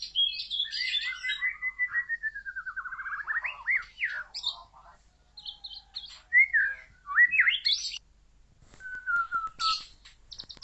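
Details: Loud, full song of a white-rumped shama (murai batu): slurred whistles, a fast descending run of repeated notes, rising and falling phrases, and a long drawn whistle near the end, separated by brief pauses.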